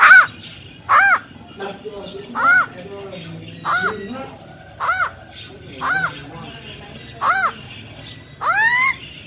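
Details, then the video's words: Female black-throated laughingthrush, wild voice, calling to rouse males: a series of eight short arched harsh notes about one per second, ending in a longer rising call, over low background murmur. "Tiếng Chim Khướu || Khưới Mái Bạc Má RO RO || Giọng Rừng Hót Chuẩn - Kích Trống Lên Lửa Cực Nhanh"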